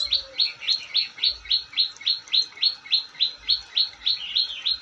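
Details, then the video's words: Long-tailed shrike in full, vigorous song: a steady string of sharp, high, downslurred chips repeated about three or four times a second, very regular, with faint low knocks now and then. "Burung cendet gacor"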